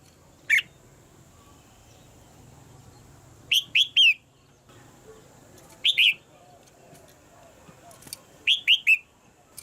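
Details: A caged female red-whiskered bulbul calls to push a male into louder song. A single thin note is followed by pairs and triplets of crisp, rising-then-falling chirps spaced a few seconds apart.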